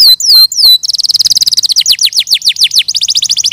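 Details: Canary song opening with two loud slurred whistles, then a fast even trill, followed by slower repeated down-slurred notes and another quick trill.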